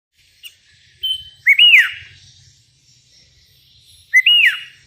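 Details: Sooty-headed bulbul, a lively vocal bird calling to rivals: a short whistled note, then two bright, slurred notes that rise and then fall, with the last repeated near the end of a quiet background.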